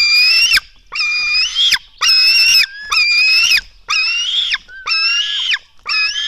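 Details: Black stork nestlings at a Latvian nest, recorded at dawn on 24 June 2016 (04:53) while being fed: a string of seven rasping, nasal squeals, each steady then dropping at the end, with short gaps between calls.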